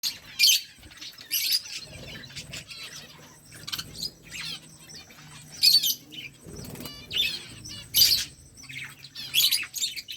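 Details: Pet budgies chirping and chattering to each other, bursts of high, warbling, scratchy chirps from several birds arriving every second or two, with soft wing flutters and quiet gaps between.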